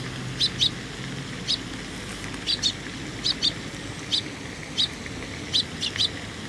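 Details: At a Tenmangū shrine, 18 May 2021, young sparrows approach to be fed, giving sharp high chirps, often doubled, spaced about a second apart, with faint low rumble early on.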